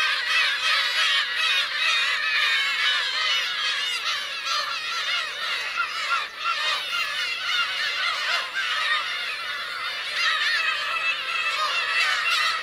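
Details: Black-tailed gulls, parents with chicks, at the Kurosaki coast of Teuri Island, Hokkaido, Japan, on 17 June 2021: a dense chorus of overlapping nasal, mewing calls from many birds, rising and falling, continuous throughout.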